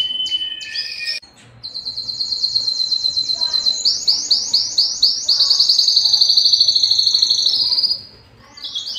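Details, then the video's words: Belgian canary starting with a few brief notes, then a rising run of rapid repeated chirps building into a loud dense trill before fading to quiet and restarting. "som do canario belga"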